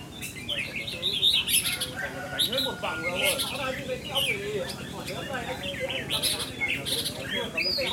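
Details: Kept red-whiskered bulbul being tested for its temperament gives bright, bubbling warbled phrases and sharp chirps in quick succession, over a busy background of other chirping birds and faint voices.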